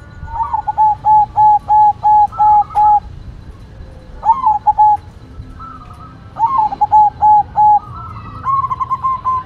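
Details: White zebra dove singing steadily: long phrases of a rising note and about seven evenly spaced short coos, repeated several times, with softer sustained tones between phrases.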